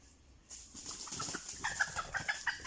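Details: Red junglefowl lured with a decoy, giving a run of short, sharp clucks, sometimes in pairs, that quicken and grow louder toward the end over steady high-pitched insect hiss.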